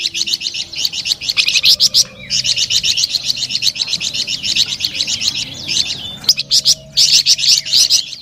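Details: Flamboyan bird pouring out rapid, bright, high-pitched chirps in long continuous phrases, broken by short pauses near two and six seconds.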